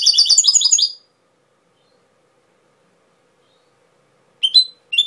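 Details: Cobia Málaga style goldfinch song. A second-long burst of quick, high, twittering repeated notes, then a long silence broken near the end by two short sharp chirps.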